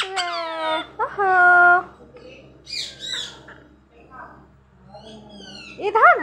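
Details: Talking parrot kept indoors, coaxed by a person: harsh squawks and harmonic, voice-like calls, a drawn-out tonal phrase, then scratchy rising notes and a final wavering cry, with human speech nearby.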